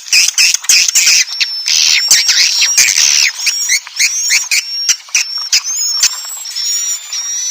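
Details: Swiftlet roosting sound, Inap Ababil type: dense overlapping buzzy twitters and clicks with a thin, steady high whistle running through, busy and continuous throughout.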